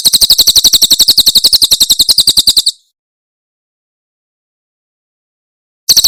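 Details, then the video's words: Javan prinia, Cililin tembakan song recorded very cleanly as a model for pet songbirds: a quick high buzzy trill lasting under three seconds, a long silence, then the trill resuming. "Masteran Tembakan Cililin SUARA SUPER JERNIH"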